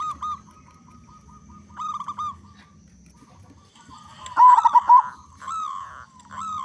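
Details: Local zebra dove with a strong voice, singing to prompt other doves: soft pulsed trills come and go, then one loud wavering coo phrase, followed by further trilled notes.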